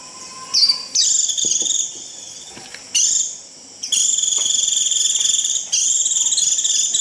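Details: Japanese white-eye using the 'rít' call to bring the flock in: a short squeak, then repeated high buzzy trills of rapid pulses, ending in a long steady run lasting three seconds, with a quiet low whistle at the start.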